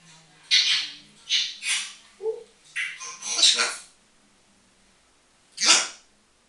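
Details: Pet African grey parrot talking indoors: a string of harsh, breathy speech-like bursts over about four seconds, a pause, then one more loud burst.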